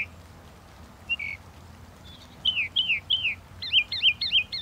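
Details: Northern mockingbird song opening with a few isolated notes, then a series of downslurred whistles and finally rapid looping high chirps repeated several times.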